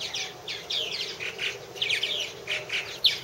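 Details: Purple martins calling at a nest house in 2014, a rapid stream of overlapping chirps and slurred, down-sweeping notes from several birds with no pause.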